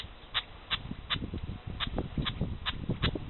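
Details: Red-legged partridges with chicks, camera-trapped in Parque Natural del Estrecho, Cádiz, Spain, give thin, high single peeps, about seven in three seconds at an uneven pace, over a low rumbling background.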